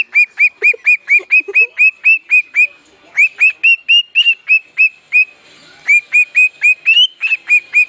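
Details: A pet bird, described by its keeper as talented, sings a run of bright, hooked whistled notes, about two per second, that break into short phrases with brief pauses. A few softer, lower notes sound near the start.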